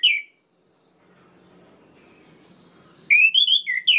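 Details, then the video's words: Orange-headed thrush singing to provoke rival birds: one short whistled note, a long quiet gap, then a rapid run of rich, rising and falling whistles at the end. "PUTARKAN INI 1 MENIT SAJA‼️ DIJAMIN ANIS MERAH LAIN LANGSUNG MENGAMUK"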